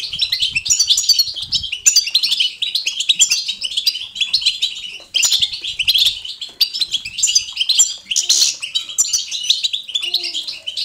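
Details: Energetic European goldfinch batbata, used to encourage goldfinches to sing; a long, dense chatter of rapid silvery twitters, buzzy notes and trills with brief breaks around five and eight seconds.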